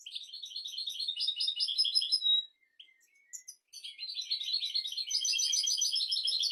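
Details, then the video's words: Continuous European goldfinch song for teaching goldfinches and canaries, twittering and rapid trills of bright high notes, a short near-silent break with thin notes, then a renewed loud, fast trill. "تغريد طائر الحسون ملكي 👑♥️ لتعليم طيور الحسون والكناري بدون أخطاء"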